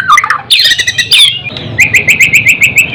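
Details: Shama (white-rumped) song used for tutoring and raising excitement: harsh squawky notes open, then a steady series of short rising chirps repeated about five times a second.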